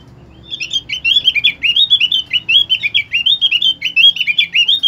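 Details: Lure recording of an opior singing to get other birds of its kind to sing: a fast, continuous stream of high twittering and warbling notes, rolling on for over four seconds with little pause.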